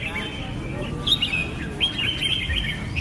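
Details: Red-whiskered bulbul singing scattered bright chirps and short whistled slurs, a few sharp accented notes standing out over low background noise.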